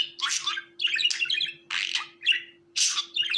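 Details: Budgerigar giving harsh, broad squawks and chirps in separate bursts roughly every half second, interspersed with brief warbled notes, with a low constant hum in the background.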